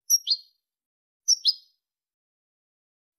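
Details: European goldfinch in the Malaga song style, recorded for tutoring goldfinch and hybrid chicks: two short, bright, high doublet notes about a second apart, a third beginning at the end, over silence.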